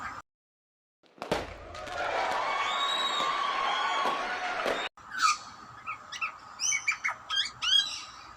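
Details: Wild young grey butcherbird near a person, calling as if asking for food: after a stretch of broad rushing noise, a run of short, sharp, chirped notes with upward and downward sweeps, irregularly spaced over the last few seconds.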